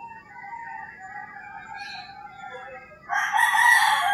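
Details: Roosters crowing at dawn in rural Philippines: a faint distant crow first, then a loud close harsh crow breaking in after three seconds.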